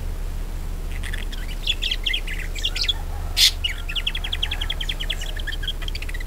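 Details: Budgerigar song played to stimulate other budgies into singing: busy high chattering warble, ending in a rapid even run of repeated clicky notes, with a constant low background rumble.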